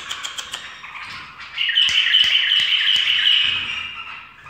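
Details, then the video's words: Bulbul perched on a person's finger, singing loudly: a sustained, bright warbling phrase that holds steady and then fades, preceded by a few sharp taps or clicks. "بلبل فووول ويه طكت ألاصبع"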